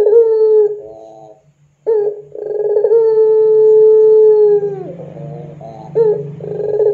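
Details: Lure recording of a puter pelung dove for training birds: a brief rough coo, a pause, then a long level low note held about two seconds and tailing downward, with quieter rolling notes and a new phrase after it.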